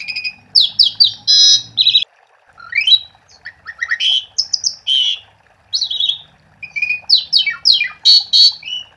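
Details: Asian pied starling song used as a lure to get other starlings singing: a fast, varied medley of whistled slurs, harsh buzzy bursts and rising and falling sweeps, in quick phrases with brief pauses.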